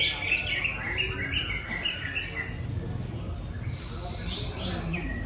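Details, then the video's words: Greater green leafbird singing in bongkar materi style, unloading mimicked material of tengkek udang (kingfisher) and jinjing petulak: quick runs of sharp, chirpy whistled notes, then a brief hissing, buzzy burst near the end, over steady low rumbling background noise. "COCAK IJO HONDA BONGKAR MATERI 🔥TENGKEK UDANG,JINJING PETULAK"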